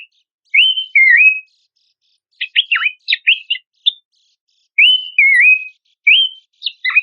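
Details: Lure and training recording of Horsfield's babbler for competition birds: pure wavering whistled phrases alternate with short clusters of sharp, steeply falling notes, repeated in two rounds over seven seconds.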